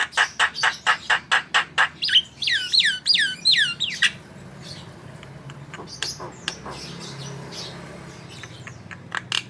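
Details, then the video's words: Javan myna in lively, chatty song, used as a tutor recording for cage birds: a fast run of about ten sharp clicking notes, then looping downswept whistles, fading into scattered quieter chips. "Masteran Burung Jalak Kebo Gacor"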